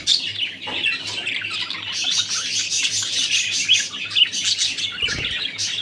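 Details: Male budgies in a moody state giving busy, warbling chatter of rapid chirps and squeaks, several birds overlapping, with a constant low electrical hum.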